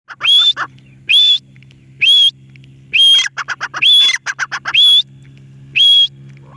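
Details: Parrot giving loud, clear whistled calls that rise then level off, repeated about once a second, with softer harsh chattering notes between them and a low steady hum underneath.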